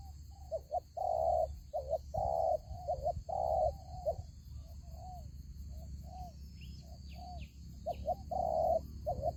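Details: Spotted dove acting as a lure in a ground trap, cooing in a run of short and long mellow notes that grow softer midway, then louder again; low rumble throughout.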